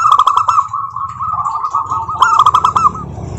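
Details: Zebra dove song, local variety, played to get other doves singing: rapid rolled notes open and close the clip, linked by a stretch of continuous softer cooing.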